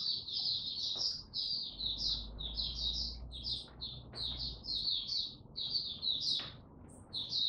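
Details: White-eye male with a still-maturing song, 9 February 2022: continuous high, sweet chirping and twittering, notes slurring downward in close runs, over a steady low hum and background murmur.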